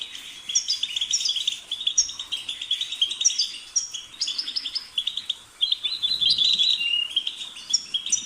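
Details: European goldfinch delivering a lively, rapid song of tinkling chirps, twitters and short buzzy trills, flowing almost without pause over eight seconds.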